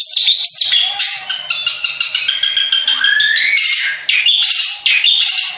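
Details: Contest long-tailed shrike of the Madura type mixing harsh, grating bursts with short clear whistles. Midway comes a drawn-out rising whistled note, then more rasping phrases.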